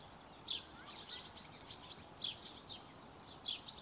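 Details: Fed barn swallow nestlings give thin, high chirps and tweets in quick uneven succession, several per second at times, against a faint noisy background.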